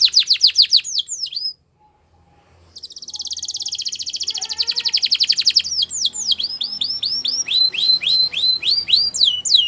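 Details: Belgian canary singing a varied song of rapid downward-sweeping whistled notes and a fast buzzy trill, broken by a short silent pause, then repeated bright sweeping phrases.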